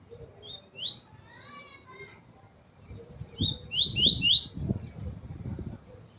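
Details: Double-collared seedeater giving short high slurred whistles, then a fast run of descending notes, while people talk in the background.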